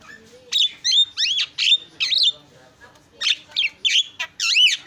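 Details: Javan myna in full isian filler song, with sharp looping whistles, bending slurred notes and quick chirps, then a harsh buzzy note at the close.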